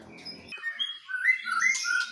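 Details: Singing duel of white-rumped shamas, a Medan bird versus a wild Nias bird. A short low rustling noise gives way to a sequence of clear rising and falling whistles that climb in pitch.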